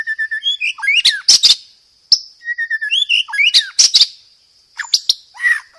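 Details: Training song of a white-rumped shama for caged birds, rich in varied phrases: short flat whistles, then rising slurs and harsh broadband crackles, repeated in two similar phrases, with a faint continuous high-pitched whine behind.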